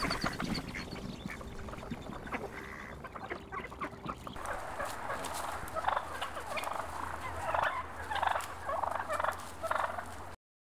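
A turkey gobbles in fast, rattling, throaty bursts, several in quick succession during the second half, over a steady low hum.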